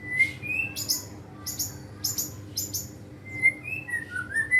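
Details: A kept white-rumped shama learning to sing prolifically: clear mid-pitched whistles that slide upward, alternating with short, sharp high clicks in quick pairs.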